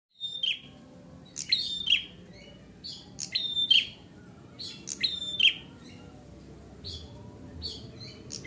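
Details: Bar-winged prinia (ciblek merah) singing vigorously: high, sharp chirps with bright downslurred notes, mostly in pairs, repeated at intervals of about one and a half seconds over a faint low background hum.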